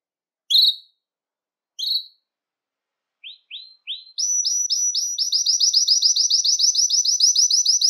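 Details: A Belgian canary sings to warm up males and stimulate females: high, bright notes with two sharp chirps and a few rising phrases, then a fast, steady trill of repeated notes, about three per second.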